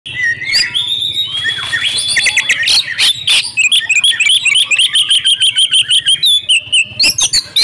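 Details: Female oriental magpie-robin calling actively, used as a lure to draw silent males into singing. Opens with varied sharp whistles and slurs, then a fast run of short chirping notes, roughly three per second, bright and high.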